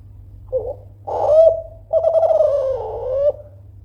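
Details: Kelantan-type spotted dove calls loudly to goad rivals into replying: a soft short note, a swelling coo, then an extended vibrating coo that dips and lifts before cutting off.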